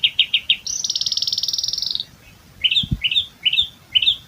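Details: Asian pied starling (jalak suren) doing ngerol isian, its continuous medley of other birds' calls. Four quick chirps lead into a high rattling trill, then after a short pause, upward-slurred whistled notes repeated roughly every half second.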